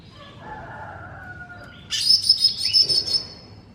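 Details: Cucak ijo mini (green leafbird) masteran song: soft drawn-out whistles fade into a sudden loud outburst of fast, chattering, buzzy trills lasting about a second and a half, with quieter notes trailing off.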